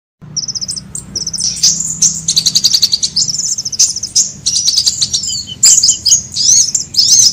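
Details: Sunbird calls used as a lure sound to draw birds together: very high, thin twittering with rapid trills and sharp chirps, starting after a short silence and continuing in dense bursts.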